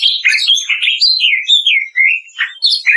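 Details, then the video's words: Kretekan-style song of a greater green leafbird, recorded as training audio for other birds: continuous chain of fluid, swooping whistles and bright chips, mid-to-high pitch, dropping then rising again, with no pauses. "SUARA KRETEKAN DAHSYAT CUCAK IJO"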